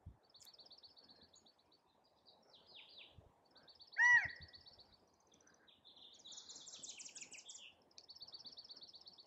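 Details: A male California quail calling for a mate gives one loud, sharp, arching note midway through. Faint high, thin chirps and trills from other small birds or insects run throughout.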